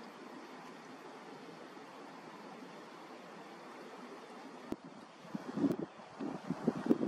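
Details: Wind and surf roar throughout, with low thumping knocks toward the end and no animal calls.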